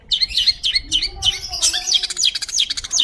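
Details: Long-tailed Shrike singing energetically in a clear voice, kept as tutor song for magpie-robins: high squeaky chirps and twisting whistled notes, becoming a dense, scratchy chatter of rapid mixed phrases in the second half, with a faint low hum.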